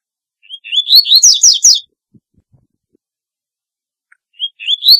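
A Double-collared Seedeater sings a fast, high jumble of sweet slurred whistles and buzzy trills for over a second, then starts the phrase again after a pause.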